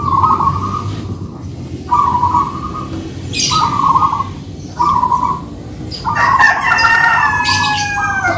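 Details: Manggung duet of two local perkutut, or zebra doves: four evenly spaced short coo phrases at a steady pitch, then a rooster crows near the end over constant low-frequency noise.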